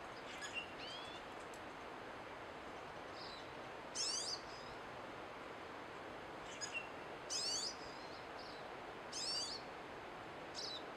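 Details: Singing pine siskins give scattered high twitters and sharp, buzzy upswept notes in short bursts every couple of seconds, spaced irregularly, against a constant hiss of background noise.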